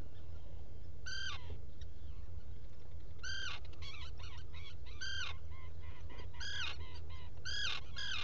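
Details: Burrow camera inside a Black guillemot nest site on Seal Island NWR, Maine, early morning, 07-05-2018: loud, ringing downward calls repeated every one to two seconds, with fainter chattering notes between and a low hum throughout.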